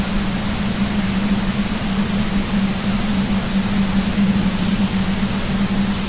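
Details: A steady electrical hum with loud broadband hiss continues throughout, with no animal calls.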